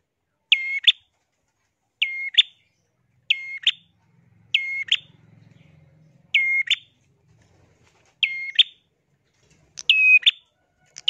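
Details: Bar-winged prinia (prenjak) singing actively: short, bright, two-part chirping phrases that drop in pitch and end in a sharp upward flick, repeated roughly every one and a half seconds over near silence.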